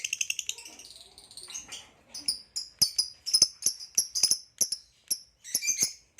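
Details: Male green hybrid Lilian's lovebird, ringed, chatters in rapid clicky high chirps: a fast stuttering series at first, then sharper separate notes spaced about a quarter second apart, very shrill throughout.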